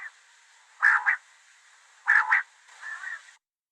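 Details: Common quail calling: low, grating double notes in short bursts about once a second, over a steady background hiss.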